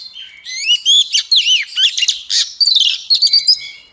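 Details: Female Oriental magpie-robin singing to stir males into full song: a rapid run of loud, clear whistled notes, sliding up and down, with twisting slurs and short chirps packed closely together.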